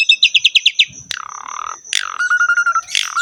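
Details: Energetic ngerek song from a Javan pied starling: six quick ringing chips, a low rattling squawk, then harsh descending notes and a pulsing level whistle, over a thin steady high tone.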